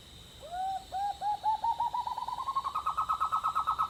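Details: A White-throated Nightjar, recorded from a bedroom window in the Northern Rivers area of New South Wales, Australia, gives a quickening series of short, upslurred hooting notes climbing in pitch like rising laughter, over a thin, steady high insect hum.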